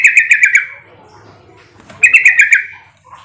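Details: Sooty-headed bulbul call used as a lure to draw other bulbuls into answering back: two bursts of five quick, bubbly chirping notes about a second and a half apart, each trailing off, with faint background hum between.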